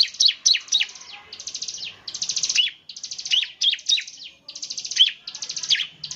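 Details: Bar-winged prinia in semi-active song, a style said to prompt other prinias to join with rapid 'nembak' bursts: dense runs of sharp, high chirps in quick rattling series, broken by short pauses and repeated several times.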